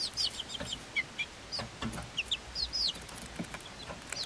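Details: Five-week-old Swedish Flower Hen chicks, hatched 26 February 2022, with a Silkie chick of the same age, give high, thin, down-slurred peeps scattered irregularly, several birds overlapping, with a few soft clicks and rustles below.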